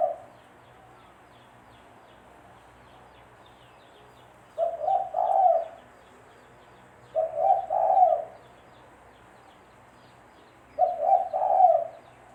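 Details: Spotted dove, its call used as bait when trapping birds, cooing in three well-spaced phrases of soft, low, doubled notes against a quiet background.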